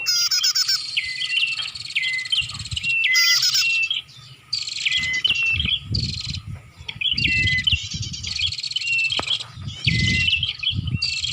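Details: Prinia lure call, bar-winged prinia, played to attract birds: repeated bursts of shrill buzzy chirps and quick falling whistles, with short gaps between phrases and low rumbling underneath.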